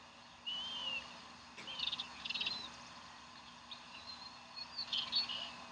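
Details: Bald eagles at the Decorah nest on 27 April 2012, with a live fish just brought in. Thin high whistles and short rapid chittering bursts come in several spaced groups against a faint constant hum.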